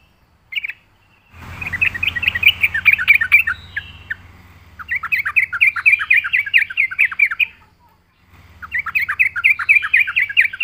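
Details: Yellow-vented bulbul lure song: three long, rapid trains of rhythmic chattering notes, each lasting a few seconds. A low mechanical hum sounds underneath during the phrases.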